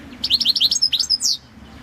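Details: Competition song of a European goldfinch, subspecies balcanica, from the 2022 world championship: a fast, unbroken series of sharp, chattering high notes and bright whistles, closing with a downward buzzy slur, over a soft low hum.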